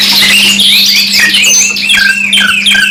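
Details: Domestic canary singing, 2-in-1 masteran mix: busy high-pitched warbling with fast sliding whistles and clipped repeated notes, several song lines overlapping, a faint constant low hum underneath.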